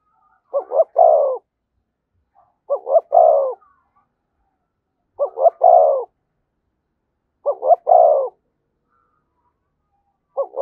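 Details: Spotted dove cooing thúc gù style near a decoy bird, four regular phrases about two seconds apart and the start of a fifth, each two brief coos then a longer sustained note.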